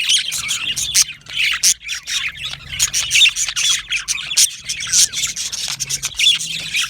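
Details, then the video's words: Yellow male budgerigars give scratchy, grating squawks and quick chirps in uneven bursts, several birds overlapping in constant high chatter. "Beautiful Yellow Male Budgies Birds Chirping sounds"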